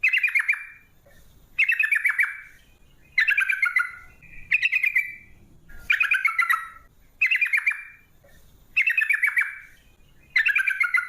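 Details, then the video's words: Straw-headed bulbul in energetic 'gacor' form with long 'ropel' song, used as a lure to make other bulbuls sing: loud bubbling whistled phrases, each about a second long, falling and warbling, repeated roughly every 1.5 seconds with short pauses. "TRUCUK Gacor ROPEL PANJANG pancingan trucuk agar BUNYI, jadikan burung trucukan BUNYI ROPEL sketika"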